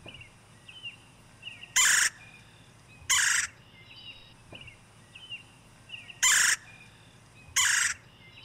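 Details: A red-bellied woodpecker, one of a pair nesting with eggs in a lightning-struck yard tree in spring, recorded on a phone: four loud, harsh rolling churrs in two pairs about a second and a half apart, with faint chirps from other birds in between.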